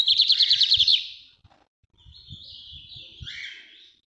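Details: Lined seedeater singing the northeast song type, known in Brazil as bigodinho or estrelinha: a fast, high trill of about ten repeated notes in the first second, then a softer, scratchy, wavering warble, with faint low thumps beneath.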